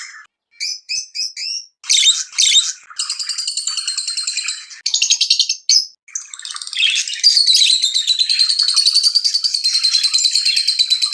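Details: Excited lovebird chirping tied to mating, opening with quick separate high chips, then buzzy rattling bursts that merge into a long, rapid, pulsing chatter of high notes.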